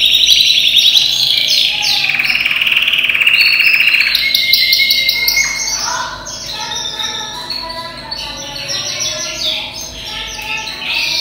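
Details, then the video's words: Yellow canary from European stock, around ten months old, sings through the day in a cage. Its song opens with loud buzzy rolls and sustained trills, then turns to quicker chirping notes and softer twittering runs. "Chim Hoàng Yến Nhập EU Vòng 2021 Hót Đảo Giọng Cực Hay || Yellow Canary Bird Singing"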